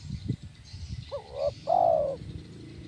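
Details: Kuk 1 song of a spotted dove (tekukur) for training birds: low knocking sounds, then a brief rising-falling hoot and one long, smooth, slightly falling coo.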